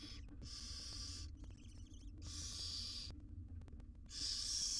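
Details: Barn owl mother grooming small chicks in a monitored nest box: three long, harsh breathy hisses, with faint soft twittering between the first two and a low steady hum throughout.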